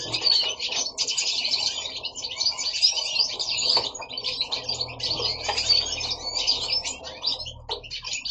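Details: Goldfinches kept at home in Italy sing together, a continuous bright chatter of quick high chirps, trills and buzzy notes, with a faint low hum indoors and a short flutter near the end.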